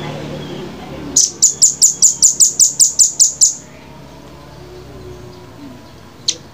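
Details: Velvet-fronted nuthatch delivering a quick string of eleven piercing, high chit notes in steady rhythm lasting over two seconds. Quiet room tone follows, with one last isolated sharp note near the end.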